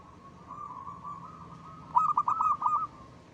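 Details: A zebra dove of the local type sings a brief 'ngristal' phrase meant as a lure, a quick run of about six clipped cooing notes after a steady low tone.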